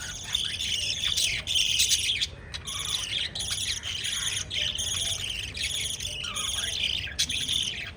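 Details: Several pet lovebirds chirp continuously while feeding chicks, a bright twittering chatter broken by short gaps and quick squeaky bursts.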